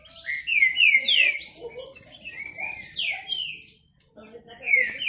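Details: Contest song of male Green-winged saltators: strong, falling whistled notes in quick succession, a softer stretch in the middle, then another loud slurred phrase at the end.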